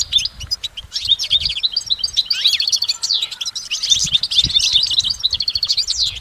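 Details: Continuous goldfinch song outdoors: bright, high chattering and tinkling notes tumbling together in a lively, layered stream, with faint low knocks now and then.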